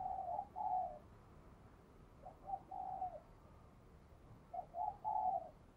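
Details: Spotted dove in captivity, 'đồng kim' voice, cooing to prompt newly caught birds to sing. Soft, hollow coo phrases repeat about every two seconds over a steady background hiss.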